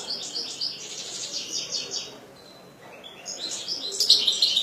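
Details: European goldfinch kept as a pet sings a rapid series of high twittering notes, pauses briefly, then resumes with a louder, denser buzzy chatter.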